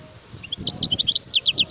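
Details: European goldfinch, a wild bird, gives a short burst of high twittering song, a few separate chirps opening into rapid sharp downslurred notes, over quiet low background noise.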